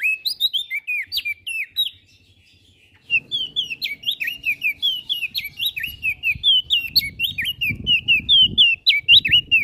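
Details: Lively olive-backed tailorbird song used to tutor and stir caged songbirds: rapid series of piercing, slurred chirps, rising then dropping, in a near-continuous stream with a brief pause and soft low rumble behind.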